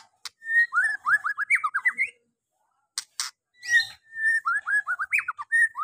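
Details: White-rumped shama, lure song for a shama reluctant to sing: two bursts of quickly repeated descending whistled notes, separated by a pause with sharp clicking sounds.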